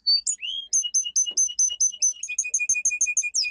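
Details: Domestic canary, a domesticated form of the Canary Islands finch kept as a pet, singing a powerful training song: a rapid series of high whistled notes, about ninety a minute, alternating with lower chirps.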